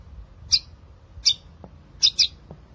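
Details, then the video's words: Long-tailed shrike, natural song used to coax silent shrikes: four sharp, high squeaky notes, two single ones then a quick pair, with faint low ticks between. "Cendet Gacor Suara Asli untuk Memancing Cendet Malas Bunyi"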